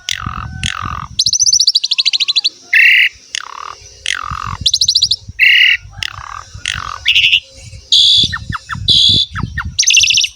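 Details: Lure song of an Asian pied starling for coaxing young males and females into singing: buzzy rattles, harsh squawks and sharp upslurred notes in quick bursts over a low rumbling background.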